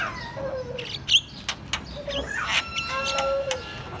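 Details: A white-eyed Javan myna chatters loudly in a varied jumble of whistles, clicks and harsh notes with sliding whistled tones; faint speech and background noise underneath.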